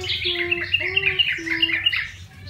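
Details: Caged yellow-vented bulbul, wild-caught and tamed after a month of care, giving short bright chirps repeated about every quarter second over a low, steady, hollow whistled tone.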